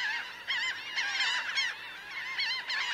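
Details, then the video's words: Large flock of about 1000 laughing gulls, on the ground and flying; a thick wall of overlapping harsh, bending cries, rising in loud bursts roughly every half second. "Laughing Gull. CU Calls From A Large Flock Of About 1000 Birds On Ground, In Fli"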